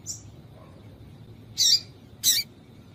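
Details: Female yellow-bellied seedeater calling to stimulate males; two short, harsh, high chip notes close together, plus a faint thin note at the start, over quiet background hiss.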